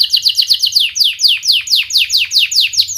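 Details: Singing canary, played to help young canaries learn their song: a steady series of clear, sharp descending whistled notes, about four per second, evenly spaced and bright, with no other sounds.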